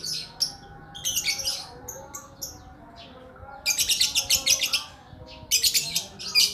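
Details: Lakbet bird in long-running song, delivering separated bursts of high, buzzy chattering notes with short silent gaps between phrases, ending in another quick run of notes.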